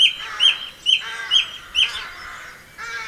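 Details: Repeated phrase from a song thrush singing in Campbeltown, April 2012: one ringing whistled note given five times at an even pace, then a softer, different note.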